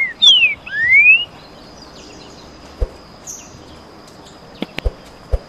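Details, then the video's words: Green-winged saltator (trinca-ferro) singing in the canto boi style, one of two singers dueling: a short phrase of two loud, clear whistled notes, the first falling and the second rising, then quiet with faint clicks. "Baderna de trinca ferro canto boi"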